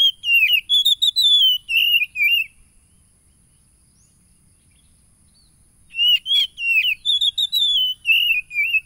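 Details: Caged-bird provoking song of an Oriental magpie-robin, phone recording from a village in East Lampung, Indonesia, July 2022: rich rising and falling whistled phrases with sharp notes, a pause of several seconds, then the phrases return.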